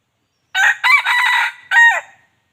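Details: Wild chicken (red junglefowl) crowing to call in other chickens; a full crow of a short note, two longer harsh syllables, a brief gap and a falling closing note, lasting about one and a half seconds in silence.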